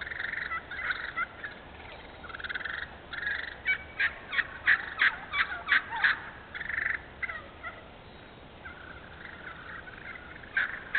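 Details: Wild turkey vocalizing in an open hardwood-savanna stand in Moore County, North Carolina, a run of sharp raspy yelps and clucks, quickening to about three per second mid-sequence, then easing off into scattered notes against constant hiss.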